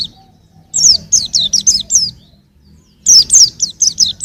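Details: Two bright bursts of rapid, high, falling chirps from a young white-eye recorded in 2021, separated by a quiet pause of roughly a second.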